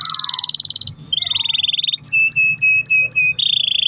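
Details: Canary song with long rolls, aimed at prompting other canaries to sing: a fast high trill, a lower even buzz, a set of six sharp repeated chips, then a steady roll.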